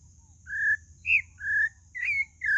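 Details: Pale-breasted thrush song: a run of five whistled notes alternating between lower steady tones and higher rising or wavering ones, closely spaced against a quiet background.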